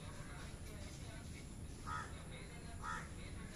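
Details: Myna in Sri Lanka gives two harsh, grating squawks about a second apart over steady low rumbling background noise.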